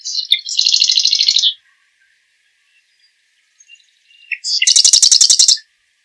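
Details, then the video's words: Song of the marsh wren, Cistothorus palustris: two high rattling trills separated by a quiet gap, each opening with a few sharp lead-in notes before a fast mechanical burst of repeated buzzy pulses. "Marsh Wren Song! Marsh Wren Call! Marsh Wren! - Cucarachero Pantanero Canto - Cistothorus Palustris"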